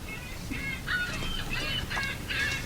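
Several distant Ring-billed Gulls give harsh, nasal mewing calls in quick bursts every half second or so over a low rumble of background noise.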